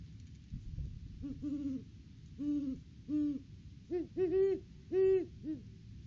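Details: Great Horned Owl pair, male and female, duetting on an off-season visit to their nest tree in December; spaced deep hoots, several stuttered doublets, growing louder toward the end over steady low hum.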